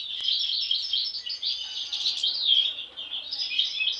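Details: European goldfinches from one brood, two marked by an anomalous mask from birth. Quick, sparkling twitters and chirps pour out steadily, with a short louder burst midway.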